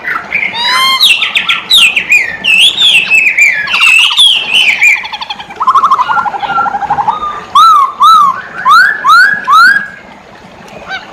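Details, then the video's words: Masked laughingthrush, poksay hongkong, in full lively song: a long series of loud warbling whistles sliding up and down, then repeated rising whistled notes and sharp clicking bursts. "Poksay hongkong gacor kicau poksay hongkong gacor mp3"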